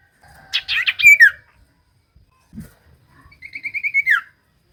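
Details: Common iora song used to provoke reluctant birds into singing: buzzy chattering notes with a falling whistle, a pause, then a series of about eight short repeated notes ending in a drooping slur.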